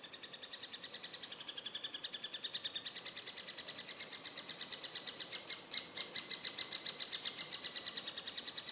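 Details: Eurasian three-toed woodpecker young begging during feeding: a continuous stream of high, rasping notes about five per second, steadily growing louder, with a brief sharper burst in the middle.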